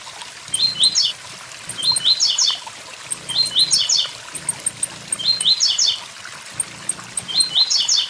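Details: Blue-black grassquit delivering its "tui tui zel zel" song near a waterfall, roughly five high chirpy phrases of stacked rising notes at irregular intervals, with faint clicks between them and a constant watery hiss beneath.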